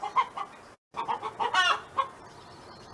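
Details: A neighbour's farm hen makes soft clucks and one louder, rising harmonic squawk, with a brief total dropout near the start and a hissy background.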